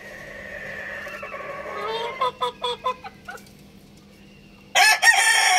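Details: Rooster crowing loudly: a drawn-out harmonic crow of about two seconds, rising at the end, then a quick run of short clucking notes and a sudden loud burst of noise.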